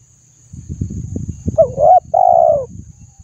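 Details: Against low rumbling knocks, a spotted dove delivers a wavering two-part coo, the second note long and steady. Meant to stimulate birds to sing; thin hiss above.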